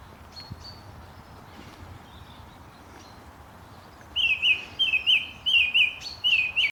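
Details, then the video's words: Birds in morning chorus at Langley Park, Durham: faint distant high notes at first, then a loud close bird repeating a rapid rising-falling twittered phrase about every half second, with quieter high chirps layered above. "Morning bird chirping"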